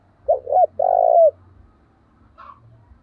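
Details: One fight-provoking call from a decoy spotted dove in thổ voice: two clipped coos, then a sustained coo dropping at the end, followed by a faint higher note.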